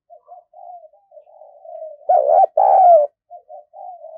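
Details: Decoy spotted dove, very lively, used for luring. Soft, low, hollow coos lead into two loud rolling throaty coos, followed by further quiet cooing notes.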